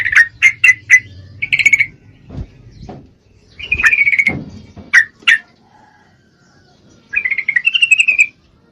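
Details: Yellow-vented Bulbul female in full breeding condition calling to a male, giving quick sharp clipped notes, then rattling chatter bursts separated by pauses, over a faint low hum and a few soft thumps.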